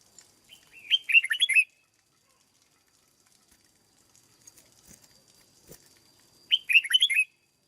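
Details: Red-whiskered bulbul in a cage, under training, delivers two loud phrases of rapid, warbled whistles, one near the start and one near the end. Faint clicks and soft noises fill the quiet gap.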